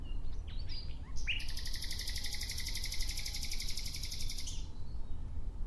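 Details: Nightingale in nature singing a long, fast, evenly pulsed rattling trill lasting about three seconds, preceded by a few short rising notes, with low background rumble throughout.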